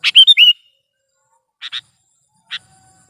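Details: Sooty-headed bulbul recorded as a trapping lure and tutor sound. It opens with a loud quick phrase of slurred whistled notes, followed by a pair of chips and one final chip.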